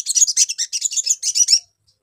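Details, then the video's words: Continuous burst of sharp, high-pitched twittering from a Brown-throated sunbird, used as a lure to get birds in training to answer quickly, ending abruptly after about a second and a half. "PANCINGAN SOGON BAHAN CEPAT NYAUT"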